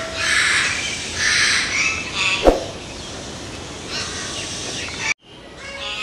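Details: Common hill myna, a mountain bird in India, repeating broad, rasping calls about once a second, with a sharp knock midway and an abrupt cut before a final harsh note.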